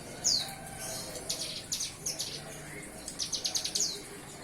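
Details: Young bar-winged prinia, just weaned from hand-feeding and starting to sing: high, thin buzzy chirps, scattered at first, then a quick rapid trill of about six notes near the end.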